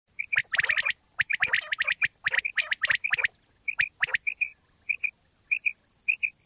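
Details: Common quail calls from Pakistan, offered as a hunting lure: paired short clear notes repeat steadily between bursts of sharp clicky strokes and rough, raspy squawks, with no background noise.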